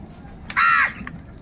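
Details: A crow gives one loud, harsh caw lasting about a third of a second, flat and rasping, while crows squabble over food; quiet background otherwise.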